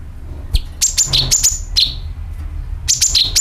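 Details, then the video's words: Sooty-headed bulbul lure calls: rapid runs of piercing chirps, each falling from high to slightly lower pitch, bunched in three quick groups over a soft low background noise. "CUCAK KINOI ||PANCINGAN PALING AMPUH TERBUKTI PASTI IKU BUNYI SUARA PANGILAN + NYERET"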